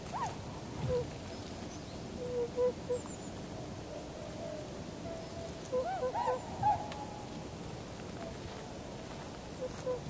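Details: Tundra swans (Cygnus columbianus) in a winter flock on 7 February 2015, landing and flying off in V formation, give soft, mellow bugling hoots in scattered pairs and short bursts over a steady low rush of wind or water.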